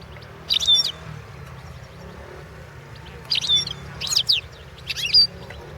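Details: European goldfinch entered in the 2016 World Championship in Goldfinch Song: brief bursts of bright twittering and short liquid trills, spaced by pauses of one to two seconds, over a steady low hum.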